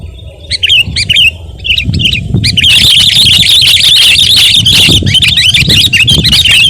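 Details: Sooty-headed bulbul, a lively singer, recorded as a lure song: a few separate squeaky phrases, then a loud, continuous, dense stream of chattering notes filling the rest.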